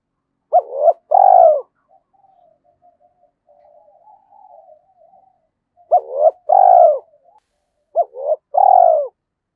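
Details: Decoy spotted dove of the 'giọng thổ' voice calling to draw in wild birds. Three coo phrases arrive, each with looping short notes and a long mellow coo. Low quiet chuckles fill the gap between the first and second phrases.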